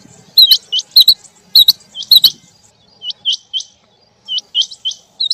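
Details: Rain-soaked quail, male and female, giving rapid upswept whistles in short bursts, first mixed with crisp clicks, then clean paired notes spaced by brief pauses.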